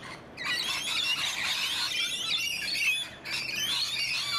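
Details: Wild rainbow lorikeets in a garden in Donvale, Australia, giving a dense, continuous chorus of shrill screeching and chattering calls, harsh and high-pitched, with brief pauses.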